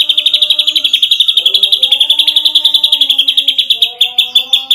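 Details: Ashy drongo delivering a nembak rapat masteran song, singing gacor: a continuous stream of sharp, high notes fired in quick succession, with gliding mid-pitched whistles woven beneath.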